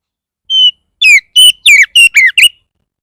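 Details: Oriental magpie-robin in aggressive 'bar bar' style, a lure to make other magpie-robins sing: one clean level whistle, then six quick notes mixing steady whistles with falling and hooked slurs.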